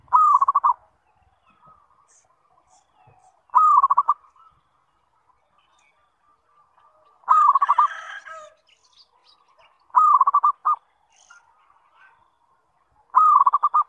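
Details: Zebra dove (perkutut) repeating its lure song to make other zebra doves respond: five phrases every three seconds or so, each a brief coo and a fast burst of clipped notes, one overlapped by a harsher rasp.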